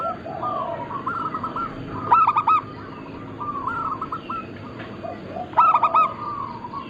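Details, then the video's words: Local Zebra doves, Bangkok-crossing type, recorded singing as a flock for luring and training other birds: short rolling coo trills, two loud ringing phrases about three seconds apart, and lower cooing from other doves. "Perkutut lokal gacor"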